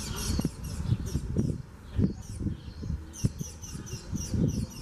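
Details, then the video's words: Spanish sparrows, recorded in Gáldar, Gran Canaria, in March 2017, keep up a dense, overlapping stream of high chirps against frequent low thuds and rumbling background noise. "Canto del Gorrión moruno.......Passer hispaniolensis"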